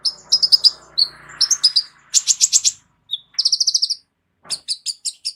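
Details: Caged Van Hasselt's sunbird with a full repertoire used as a song tutor for other birds: clusters of bright high chirps, a quick buzzy rattle, then a series of sharp repeated tweets.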